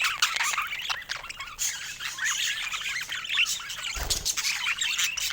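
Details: Chattering flock of pet budgerigars: rapid overlapping chirps and warbled notes with scattered squawks, plus one short low thump near the end.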